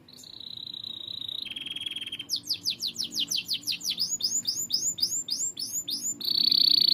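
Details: Canary in full song as tutor recording for cage birds: a steady high trill, a lower buzzy trill, a long series of rapid downslurred whistles, then a piercing high rolled trill.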